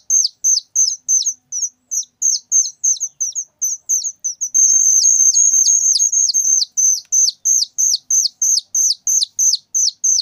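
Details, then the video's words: Loud calling from a whistling thrush chick: rapid shrill notes with downward flicks, about three a second, briefly merging into a longer continuous high trill midway before the separate notes resume. "suara anakan burung ciung Batu sangat nyaring"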